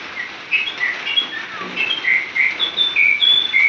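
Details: White-rumped shama singing in the wild: varied clear whistled phrases and short trills at mid-high pitch, delivered in quick succession over a steady background hiss.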